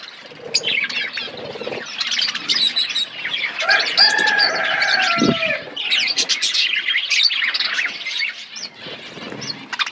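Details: Budgerigars in an aviary set in a forest environment, a colony chattering in dense overlapping chirps and warbles, with a few longer sliding squawks in the middle and brief wing-flutter noises.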